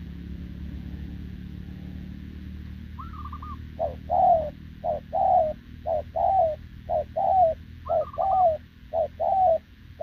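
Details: Wild-caught spotted dove recorded 6 November 2024 cooing nonstop with a decoy: a quiet start, then a higher wavering phrase and a run of brisk paired coos, short then long and descending, about seven pairs.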